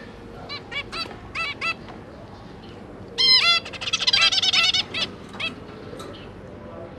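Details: A zebra finch pair with their three newly hatched juveniles, the parents busy feeding them: nasal, honking beeps in short bursts, then a dense rapid chatter of overlapping calls from several birds.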